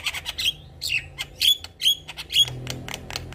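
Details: An actively singing Javan myna, full of varied notes, sings in harsh, squawky bursts mixed with sharp whistled notes, roughly two phrases a second, with a faint low hum beneath.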